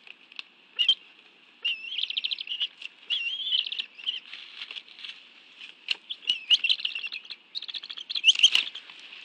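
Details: Bald eagle family meal at the National Arboretum nest, Washington, D.C., 11 June 2017 at 2:23 PM; scattered squeaky chitters and short whistled slurs come in irregular clusters, with rustling and tapping at the nest.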